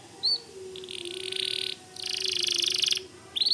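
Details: A softer passage of white canary song: one short chirp, two sustained buzzy rolls separated by a brief gap, and a final high note.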